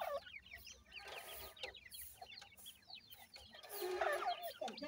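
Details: Grey francolin (dakhni teetar) chicks, a pair with young: dense overlapping chorus of thin, high, downslurred peeps, rapidly repeated, with a lower husky note near the end and faint background hum.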